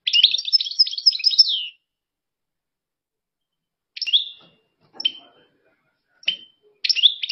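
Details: European goldfinch singing: a rapid, jangly twitter of high notes for under two seconds, then silence, followed by a few short separate tinkling phrases.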